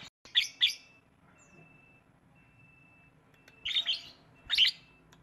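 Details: Lovebird song with paired shrill, squeaky chirps near the start, a quiet gap, then two more bursts of harsh, high chirping.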